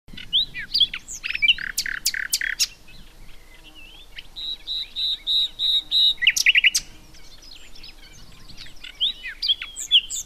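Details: Common nightingale singing a varied run of phrases: sharp whistled notes and loud clicking strokes, a fast buzzy stuttering trill midway, then more scattered high chirps and slurs.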